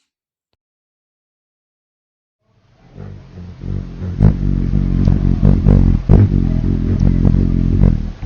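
Nearly three seconds of silence, then a loud low engine-like rumble with rhythmic clattering and knocks; no animal sound is heard.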